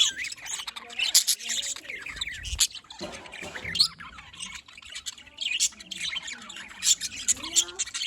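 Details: Many budgerigars in a small pet colony chirping, rapid overlapping squeaky notes and warbling phrases, briefly dipping quieter midway before the busy chatter resumes.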